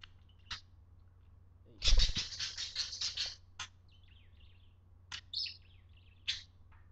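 A parakeet gives a second-long burst of harsh, scratchy chatter, then sharp chirps and buzzy warbles every second or so, over a steady low hum.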